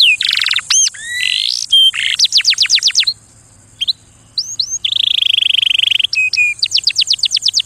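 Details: Canary singing for mating: loud, high trilled song of rapid repeated notes, steep rising and falling sweeps, buzzy rattling trills and sustained whistled phrases, with a short quieter pause midway.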